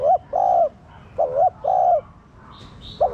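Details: Spotted dove cooing to trigger cooing in captive doves: two double-note phrases, a quick bent note then a long level hoot, with faint high chirps from other birds.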